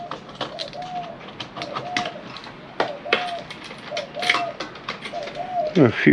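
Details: A pigeon gives soft, low, hollow coos, described as a mating call, about once a second in the background, over metallic clattering from e-waste scrapping, rustling and a man's voice.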